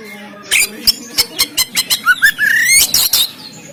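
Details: Oriental magpie-robin recorded in Banten by Android phone, used to stimulate caged birds to sing; a run of about ten evenly spaced sharp clicks, then a rising whistled phrase and harsh notes.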